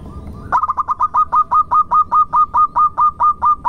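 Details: Local zebra dove singing steadily to lure other birds into song. A long, even run of clipped cooing notes comes at about two per second, each note sharp and slightly bent, over faint low noise.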